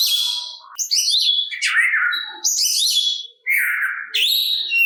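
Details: Oriental magpie-robin song used to stir other magpie-robins into calling back; short bright phrases of clear whistles, downward-slurred notes and scratchy trills, separated by brief gaps.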